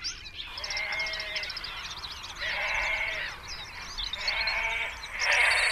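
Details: Great crested grebe at the nest, one of about twenty grebes nesting close together, 21 June 2024. Loud, harsh, drawn-out braying calls come in three long bursts over a busy background chorus of small songbirds.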